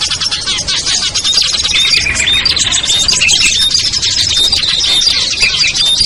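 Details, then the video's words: Lure recording of small birds like ciblek, kutilang, trucuk, sogon and perenjak for bringing down hesitant birds; crowded shrill chirping throughout, punctuated by clear short whistles and occasional lower scolding notes. "SUARA PIKAT BURUNG KECIL burcil AMPUH"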